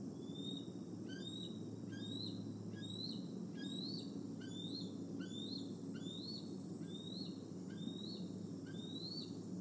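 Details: Male bald eagle near nest N1 at Decorah on an August 26, 2020 evening, perching and nibbling cam cables; high whistled calls rising then dropping, repeated about once a second over a steady low rumbling hum.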